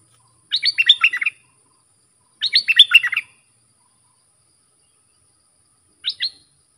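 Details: Sooty-headed bulbul song for teaching young birds: two tumbling phrases of rapid warbled notes about two seconds apart, then a brief two-note fragment.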